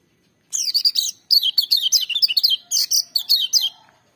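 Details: Lemon-bellied white-eye (kecial kuning) delivering a nyaring, full-power song: a steady run of clipped, shrill, rapidly repeated notes, several each second, in short, strongly accented phrases lasting about three seconds.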